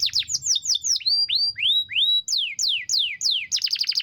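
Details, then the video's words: Canary singing a long, rich rolling song: series of descending whistled slurs repeated about three times a second, then sustained rising whistles and a fast buzzy trill at the end. "Kenari ngerol panjang mewah"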